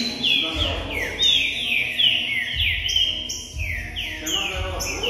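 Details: Song of the green-winged saltator for warming up a pet bird: bright, loud whistles that slide down in quick succession and overlap one another, with low rumbling pulses underneath.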